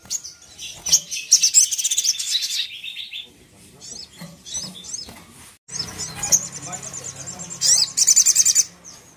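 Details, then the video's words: Sogok ontong song used to provoke a rival sogon into anger: high, rapid twittering trills in dense bursts, with several loud runs separated by short quieter gaps and faint low rustling between phrases. "Suara Yang Bikin Sogon Emosi dan Ngamuk"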